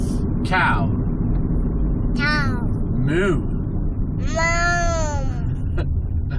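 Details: Pet parrot talking while playing with its owner, producing short mimicked words in whistly, strongly harmonic tones with rising and falling sweeps, over a constant loud low rumble.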